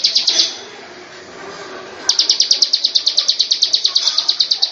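Bar-winged Prinia: a brief burst of high, sharp ticking notes, a pause, then a long, fast run of about six notes a second.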